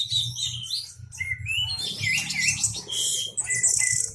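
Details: Orange-headed thrush in loud, absorbed song, tail spread, luring other birds to join in: a rich stream of high whistles, trills and chirps over a low steady hum.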